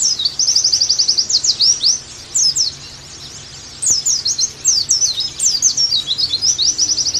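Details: Oriental white-eye song in rapid high phrases: a fast even trill, then slurred sweeping notes and a long pause, followed by more chattering bursts. The recording is intended to bring pleci back into full song.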